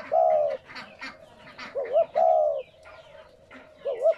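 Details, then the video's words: Spotted dove coo used to stimulate captive doves to call: a drawn-out low coo, then a wavering two-part note and another long slurred coo, and a final short wavering note, with faint chirping behind. "Tiếng Chim cu gáy kích bổi mới"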